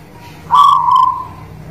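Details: Zebra dove of the local guling Murio type from the Muria mountain area, singing: one strong low cooing note that swells sharply, holds steady and fades slowly over about a second.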